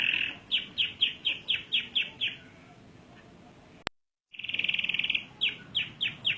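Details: Canary repeating downslurred whistled notes, a brief click and a moment of silence, then a short rolling trill and more of the same descending whistles.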